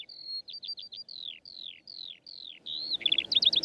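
Eurasian skylark song: high, quick slurred whistles falling in pitch, then a burst of rapid, twittering trills, with a faint background rumble toward the end.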